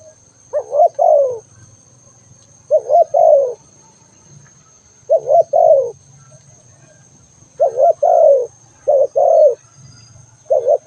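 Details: Repeated low coo phrases of a spotted dove, six in all, each a short hoot leading into a longer drooping coo, over a faint low rumble and a steady high-pitched tone.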